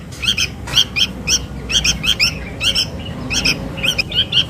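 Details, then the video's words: Sooty-headed bulbul chick calling to its mother, a lure recording: bright squeaky chirps, often doubled, repeated several times a second with uneven rhythm. "SUARA PIKAT // ANAK KUTILANG MEMANGGIL INDUKNYA"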